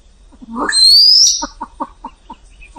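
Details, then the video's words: Silver pheasant (white pheasant) gives a harsh low note, then a high, thin squealing whistle rising over half a second, followed by six quick clucks about five per second. "Tiếng Gà lôi trắng kêu - white pheasant sound"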